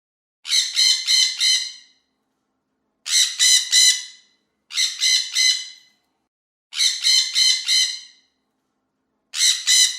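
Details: Parrots calling in the morning: harsh, buzzy squawks grouped in bursts of three or four rapid notes, each burst about a second long, repeating roughly every two seconds with clean silence between.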